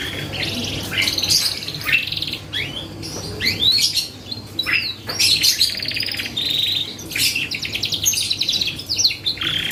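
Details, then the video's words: Lively canary song meant as a lure for a response from other birds: bursts of rapid trills and sweeping whistled notes, separated by short pauses, with a low background hum. "PANCINGAN BURUNG KENARI GACOR || BONGKAR ISIAN LAWAN || FAST RESPON 100%"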